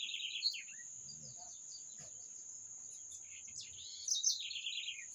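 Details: Wild bird singing: a high trilled phrase at the start, then a longer run of bright, stepped notes falling in pitch near the end, over a steady, high-pitched insect-like whine.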